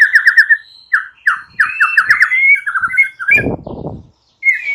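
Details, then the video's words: A white-rumped shama's morning lure song meant to wake silent birds: fast repeated mid-pitched warbling notes, rising whistles and a trill, with a short harsh rasp near the end. "Pancingan murai batu PAGI HARI, ubah BISU jadi respon Gacor"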